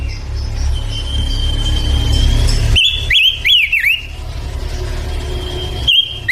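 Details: Male pancawarna bird singing energetically: a long, thin, steady whistle, then a quick run of sharp rising-and-falling zigzag notes, and another drawn-out whistle near the end, over a constant low rumble.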